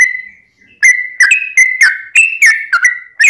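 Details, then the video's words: Bait song of a sooty-headed bulbul for prompting others to sing: a held level whistle, a pause, then a quick string of clear stepped whistles rising and falling. "trucukan gacor ROPEL PANJANG pancingan trucukan agar bunyi"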